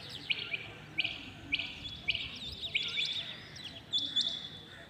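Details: Rain quail calling early in the morning: sharp, high clipped notes given in quick pairs and triplets, repeating roughly every half second to second over a soft, steady background hiss.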